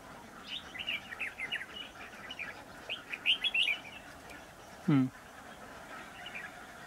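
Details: Red-whiskered bulbul at a bird trap, giving short warbled chirping phrases around the middle pitch range, bursts repeated through the first four seconds, followed by a brief loud low harsh sound and fainter chirps later.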